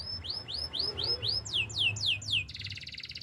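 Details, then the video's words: Canary delivering evenly spaced rising whistled notes about four per second, shifting to falling swept notes, then a fast high buzzy trill. "Bird sounds canary chirping"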